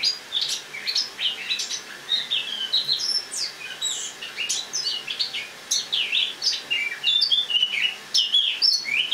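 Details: An indoor Eurasian blackcap wintering in a kitchen delivers autumn song on 1 October 2017: loud, fluent warbling of rapid chirps and slurred, rising and falling whistled notes in an unbroken flow.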